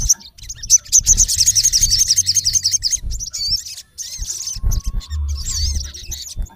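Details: A male olive-backed sunbird calling its rival gives a rapid, shrill chipping trill, followed by curling high whistled notes, with faint low thumps in the background.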